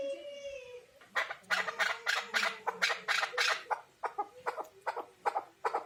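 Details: Chukar partridge: a short tonal whine, then a rhythmic string of loud, harsh chuck notes repeated about three times a second, briefly slowing and resuming, with faint lower sounds beneath.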